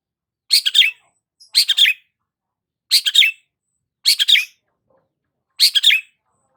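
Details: Long-tailed shrike in lively voice, used as a lure for stressed shrikes: short rasping bursts of three or four gritty notes, repeated at uneven intervals of about one second with silent gaps, no other sounds present.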